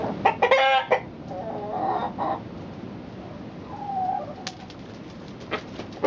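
Chickens clucking and squawking, a loud burst of harsh, harmonic calls at the start, then softer scattered clucks and brief notes over a steady background hum.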